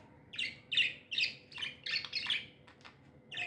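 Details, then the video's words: Happy budgerigars producing a run of about eight short, bright, buzzy chirps spaced roughly a third of a second apart, then a pause and one more chirp. "Happy budgies chirping sounds"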